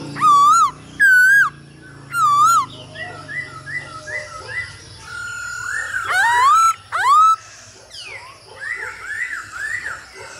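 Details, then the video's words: Male hwamei singing in response to a female's calls, used to train caged birds to sing: loud, varied whistled phrases with wavering slurred notes and short repeated chirps, separated by brief pauses, over faint background sound. "Khướu trống hót múa cực đỉnh kèm tiếng mái ro kích"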